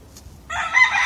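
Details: Rooster crow beginning abruptly after a short quiet lead-in, a loud harmonic blaring note held to the end, with a faint high chirp before it.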